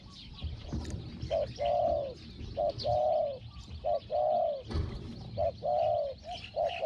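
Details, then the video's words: Decoy Spotted dove, caged, calling toward a wild bird that was startled by the camera; voice called small, 'hong-hong'. Repeated low coos, a quick lead note and then a longer rounded coo, over rustling background sounds. "ต่อนกเขาใหญ่ "เจ้าสาม"ตามตัวหมาย เสียงเล็ก หองๆ"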